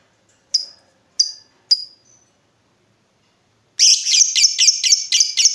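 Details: Lovebird lure meant to draw answering ngekek from other lovebirds: three separate thin high chirps, a pause, then a sudden loud rapid chattering trill of squeaky notes running to the end.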